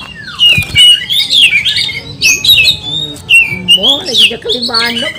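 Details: Oriental magpie-robin (kacer) in an over-excited 'kanibal' song with 'mbagong' and 'salto' styles, meant to agitate rival kacer: varied scratchy warbles and rising whistles, ending in a lower, stacked, nasal run of notes.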